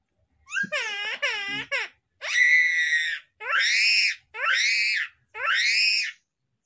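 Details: Common myna (Acridotheres tristis) mimicking a crying baby: a few quick harmonic notes, then loud, drawn-out wailing cries about one per second, rising then falling like a baby crying.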